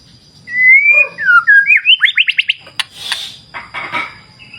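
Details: White-rumped shama in a clear-river wild nature setting: smooth rising whistles lead into a quick run of ascending notes, followed by harsher noisy bursts, over a faint low murmur of water.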